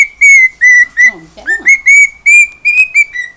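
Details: Domestic cockatiel singing: level whistled notes held on one pitch, repeated roughly twice a second, broken once by a short low warbling sound.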